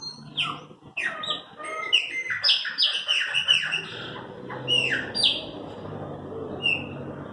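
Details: Owned Chopi blackbirds singing: a rapid run of sharp, downslurred chirps and whistles in short bursts over a steady background hum, the notes thinning out toward the end.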